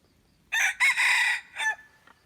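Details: Red junglefowl crowing as a decoy to lure wild junglefowl, recorded 10 March 2022: a loud, harsh crow in four bursts, a short opening note, a sharp second, a long sustained middle and a brief falling end, against quiet background.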